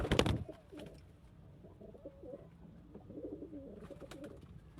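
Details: Pigeon cooing, one of a flock kept with local, Indian, Chinese and homing breeds: soft low throaty coos repeated in a rolling series over several seconds, after a sharp knock at the start and faint clicks.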